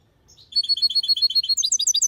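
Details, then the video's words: European goldfinch hybrid singing clearly: a short run of evenly spaced, twittering high notes that turn into quicker, sharper chips at the end. "Mixto Jilguero canto limpio la copia malaga / mulet de Chardonneret chante plus fort"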